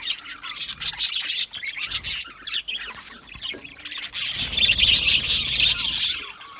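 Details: Chirping budgerigars, content and communicating, give fast bright twitters and scratchy warbles, a steady chorus that briefly thins in the middle before swelling again with many overlapping voices.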